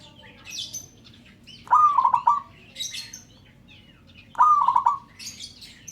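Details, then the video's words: Local zebra dove calling to get others going; two rolling coo phrases, each starting high and breaking into rapid pulsed notes, alternate with bright, higher chirping from other birds. "Perkutut LOKAL Memanggil "Bikin yang Lain Ikut BUNYI""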